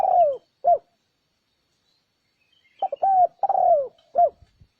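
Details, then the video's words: Spotted dove calling to lure wild doves: a falling coo and a short note, a pause, then a full phrase of quick stuttered coos, a long descending coo and a brief closing note. "Âm thanh kích chim cu gáy mp3 mới nhất 2021! (Tiếng kích chim bổi)"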